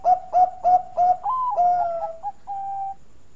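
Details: Perkutut Bangkok (zebra dove) singing as a lure bird: four short soft coos repeated about every third of a second, then a longer trilled, wavering cooing phrase ending in a steady hum-like coo.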